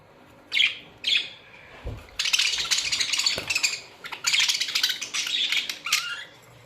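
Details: Two quick chirps, then a colony of Australian budgerigars breaks into continuous dense, raspy chatter and warbling, many voices overlapping, ending in a rising squeaky note; a couple of low thumps sound early.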